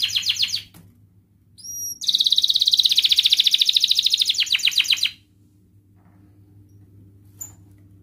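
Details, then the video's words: Canary song as a training lure: a short rattle, a whistled note, then a long rapid trill lasting about three seconds that fades into a rough rattle, followed by quiet. "Kenari gacor NGEREK MBARONG Cuit cuit NGEROL ini terbukti Ampuh untuk pancingan Kenari Malas BUNYI"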